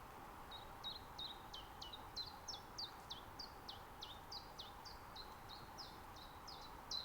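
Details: Common chiffchaff singing in an Estonian natural reserve in mid-spring, captured on a Zoom F6 with a Sennheiser MKH 8040. An unbroken string of about twenty sharp, high notes, each dropping in pitch, repeats roughly three times a second over soft background hiss.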